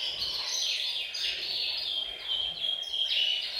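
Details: Canaries kept in a bird room singing as a group to encourage males to sing; short stretch of high, fast-chattering trills with a sustained whistled tone, slightly quieter and softer than the surrounding chorus.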